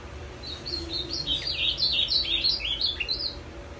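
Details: Ultramarine grosbeak performing the azulão macaco style: a fast, rich warble of slurred whistled notes, building in loudness and tumbling downward, roughly three notes per second, over faint steady background hum.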